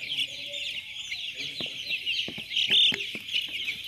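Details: Day-old chicks at a poultry farm in Chimmad, Bagalkot district, make a dense chorus of high, shrill peeps. A few sharp knocks and clicks break through near the middle.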